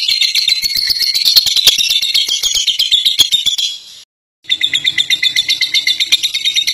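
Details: Long ngekek from a fighter lovebird: an unbroken, piercing, buzzy chatter of fast high notes for four seconds, a short break, then the rattling trill resumes; kept birds given diligent care and night baths.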